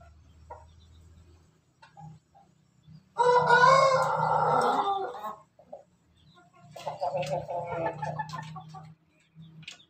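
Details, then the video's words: Laughing-style crow of a domestic Pelung chicken recorded on 17 May 2024: one strong two-second run of harmonic notes, then a softer stuttering phrase, over a steady low electrical hum. "ayam pelung Bangkok ketawa"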